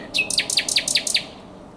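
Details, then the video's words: A common nightingale sings at the Żerań Canal, 23–24 April 2022. A brief whistle leads into six rapid, forceful, ringing notes delivered in under a second and a half, then quiet. "Śpiew słowika rdzawego na Kanale Żerańskim"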